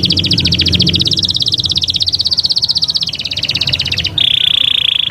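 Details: Canary in Taghreed style, used to teach young birds: a long high trill of fast repeated notes lasting about four seconds, then a steady whistled tone with fine rapid pulses, faint hum below.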